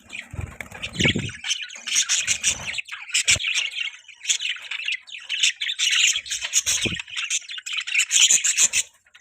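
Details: Pet budgies chattering steadily, scratchy squawks and chirps overlapping in a continuous warble, with a few low thumps or knocks between phrases.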